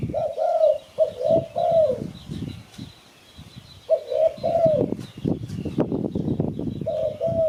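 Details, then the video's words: Spotted dove, recorded for luring birds to catch them, giving mellow two-part coos in groups, with pauses between phrases; steady crackling, clicking noise runs underneath. "Sound Spotted Dove Malay"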